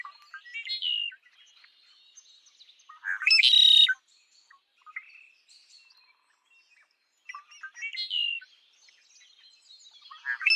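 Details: Red-winged blackbird song repeated three times, about every five seconds, each starting with short chipping notes and swelling into a loud, harsh buzzing trill, with quiet chatter between phrases.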